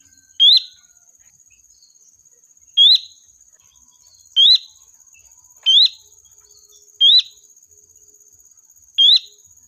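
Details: Flock-calling lure of a sooty-headed bulbul: six sharp rising whistled notes at uneven gaps of one to two seconds, with a continuous high-pitched cricket-like drone throughout.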